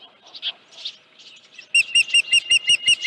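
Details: Osprey at its nest on a ranch, 31 July 2018, headless fish at 9:43 AM; soft scattered notes give way to a rapid string of about seven sharp, high chirps in quick even succession.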